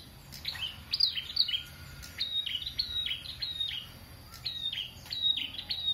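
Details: Prenjak singing vigorously, kept as a model for training other songbirds: bright high chirps, each sliding sharply downward, given in quick clusters of three to five with short pauses, over a low steady hum.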